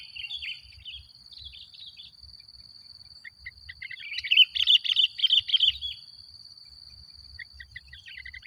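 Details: Sooty-headed bulbul lure song that makes other bulbuls agitated: scattered bubbly phrases, a loud dense burst of rapid chirping in the middle, then softer piping notes, with a constant high-pitched whine.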